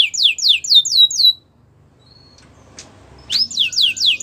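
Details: A white canary sings a run of clear whistled notes, each sliding sharply downward, about four per second. A quiet pause of almost two seconds follows, then the same falling whistles resume.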